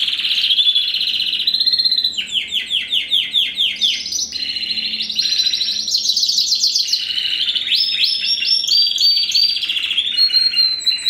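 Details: Captive-bred first-generation (R1) cross of Spanish Timbrado canary with wild canary, from 2015, made to strengthen the line; unbroken song of fast rolling trills and pulsed note series, with a bouncing descending run near two seconds and bright metallic sweeps.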